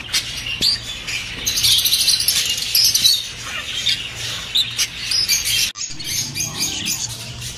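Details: Budgerigar chorus meant to stimulate breeding: a dense stream of buzzy, high chirps and rapid clicks that pauses for a brief moment near the end and then resumes, over a low constant hum.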